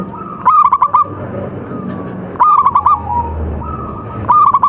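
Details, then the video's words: Local zebra dove from Java, a contest bird, uttering three quick bursts of rapid trilled coo notes roughly two seconds apart, with a low hum and faint cooing between. "MASTERAN PERKUTUT LOKAL SPECIAL KONTES | TURTLE DOVE JAVA BIRD (COLUMBIDAE) SINGING"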